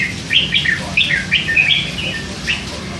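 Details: Caged red-whiskered bulbul, a three-month-old hand-fed youngster, chattering continuously: rapid sequence of short whistled, slurred notes tumbling up and down, over faint low rumble.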